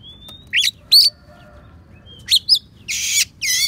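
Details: Oriental magpie-robin song studded with imitated sparrow and prinia notes, meant for tutoring other songbirds; a thin whistle leads into sharp chirps, then two rasping buzzy bursts close the phrase.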